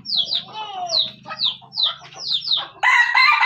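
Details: Lure junglefowl from Aceh: a series of high descending chirps and a drawn-out falling whistle over a low hum, ending in an abrupt loud harsh rasping burst.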